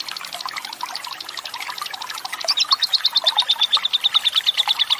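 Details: Lovebird 'ngekek panjang' long chatter, mixed with gurgling running water as a tutor track to encourage other lovebirds to sing: busy rough chattering at first, then a steady, rapid string of shrill repeated chips.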